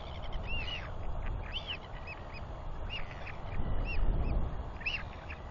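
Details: Royal albatross chicks wheeing as a male parent returns to feed one, 9 June 2021: repeated short arched whistles, rising then falling, several overlapping callers, over a steady low roar of wind.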